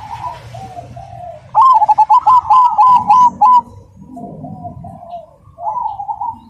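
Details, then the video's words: Cemani zebra dove singing loudly and clearly. A crisp rhythmic burst of about eight sharp, bouncing coo notes stands out against softer, purring coos from other doves before and after. "Perkutut Cemani Gacor Suara Berirama Besar Lantang dan Jernih"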